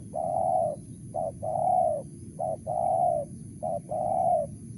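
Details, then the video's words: Spotted dove calling in Mersik, Tukang Keliling style, four evenly paced pairs of a brief coo and a longer rounded coo, low background rumble. "BL suara Mersik//Tukang Keliling"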